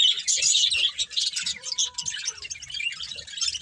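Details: A pet budgerigar breeding pair chirps rapidly, about three to four notes a second, in a continuous high raspy warble with faint soft taps below.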